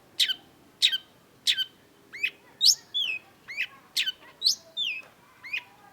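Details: Long-tailed shrike (cendet) in varied song: three sharp descending chips, then a run of twisting whistled notes and rising slurs, delivered in a lively, uneven rhythm.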